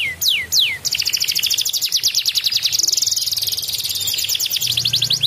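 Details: Energetic canary in continuous ngedur singing, played as a lure to prompt a reluctant canary to sing: three sweeping whistled notes, then a long, rapid, even trill of bright notes over a faint low hum.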